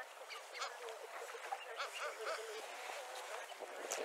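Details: Kelp goose, one of several pairs on a beach on New Island in the Falklands: short soft honking notes scattered through the clip amid steady surf-like wash.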